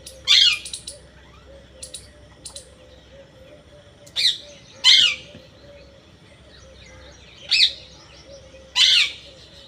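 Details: Parrot calling in separate loud, rasping squawks spaced several seconds apart, each a short downward-bending screech, with faint regular clicking and a soft low hum between calls.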